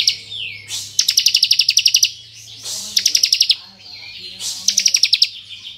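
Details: Ngebren-style song of a Bar-winged prinia (ciblek kristal), played to rouse other prinias: three bursts of fast, sharp, high repeated notes, each burst lasting about a second, linked by softer sliding whistles.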